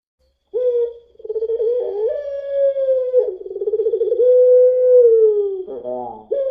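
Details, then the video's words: Puter pelung spotted dove, used as a lure sound, gives a long drawn coo, a steady mid-pitched tone that wavers and pulses in the middle, then breaks into a short rough ending. Indoors, with no other sounds. "PUTER PELUNG NANGIS SAMPAI BATUK | PANCINGAN PUTER PELUNG"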